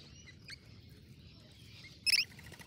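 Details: A scaly-breasted lorikeet, while feeding, gives one brief, harsh, high-pitched screech near the end. A faint chirp and a thin high hiss come before it.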